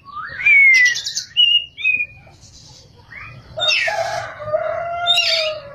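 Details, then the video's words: Kacer, the Oriental magpie-robin, in active ngerol and nembak song: a loud falling whistle and short buzzy notes, then a lower drawn-out harsh phrase that sounds like a rooster crowing in the background. "kacer gacor ngerol,nembak"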